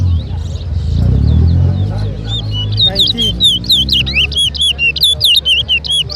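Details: Competition towa towa (chestnut-bellied seed-finch) at a 2023 bird whistling showdown in Lusignan, Guyana. After a burst of voices and music, loud, sharp whistled notes are repeated quickly and steadily for about three seconds.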